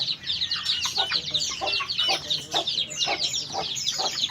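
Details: White-eye song: a dense, fast run of high, bright twittering notes running almost without a break, with some lower clucking-like bursts underneath.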